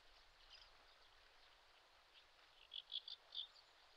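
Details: Common sandpiper on a riverbank in the Shinetsu region of Japan in late May, a parent watching over active chicks, giving four thin, high piping notes in quick succession near the end over steady rushing river water.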